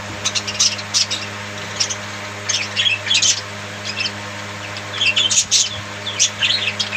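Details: Pet budgerigars chirping in a domestic setting: bursts of scratchy, warbling chirps in short clusters separated by brief pauses, over a steady low electrical hum.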